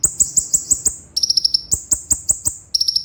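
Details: Olive-backed sunbird (kolibri ninja) training-recording song in the sharp 'roll speed' manner: quick, piercing high notes in short stuttered series that jump between two pitches, set against loud dry clicks.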